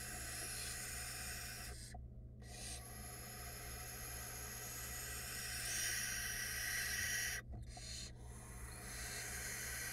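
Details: Barn owl nestlings in a nest box camera in Florida, calling together in an almost unbroken chorus of overlapping harsh, hissing rasps, with two short breaks in the wash of sound.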